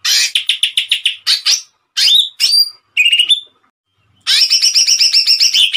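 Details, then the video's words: Greater green leafbird in full 'tembakan' song, a tutor recording for training songbirds: rapid bursts of sharp repeated chirps, a rising whistled slur, a short pause, then a fast buzzy rattling phrase. "CUCAK IJO GACOR TEMBAKAN MANTAP||PALING AMPUH BUAT MASTERAN||TERAPI CUCAK IJO"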